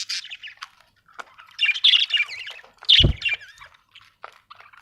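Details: Budgerigar, an Australian bird, chattering in raspy warbles and squawky chirps, with one loud low thump partway through.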